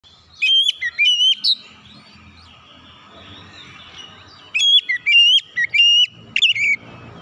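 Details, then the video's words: Oriental magpie-robin calling loudly, used to prompt silent magpie-robins to respond and sing: two bursts of clear, loud whistled notes with sharp upslurs and warbles, one near the start and one after a quiet gap, over faint low background hum. "jeritan Kacer memanggil | Kacer macet bunyi langsung respon ikut gacor"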